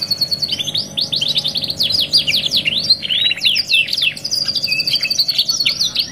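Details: Domestic canary in a luxury 'masteran' tutor recording, 2 in 1: rapid staccato notes build into sweeping descending whistles, then a thin high trill and softer twitters, continuous and loud with a low background hum.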